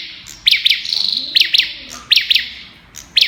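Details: In "Kalashnikov" style, an olive-backed tailorbird gives piercing doubled chirps with a quick buzzy trill between the first pairs. Pauses lengthen toward the end. Faint low notes sit underneath.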